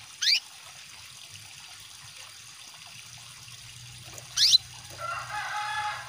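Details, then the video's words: Female canary calling to males, mixed with trickling water. Two steeply sweeping chirps come four seconds apart. They are followed by a longer, lower, harmonic wavering sound near the end, and running water is heard throughout. "PANCINGAN KENARI BETINA MEMANGGIL JANTAN"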